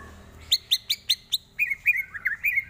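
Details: Greater green leafbird singing, a recording meant for training birds: five evenly spaced bright chirps followed by a rolling warbled phrase of slurred whistles.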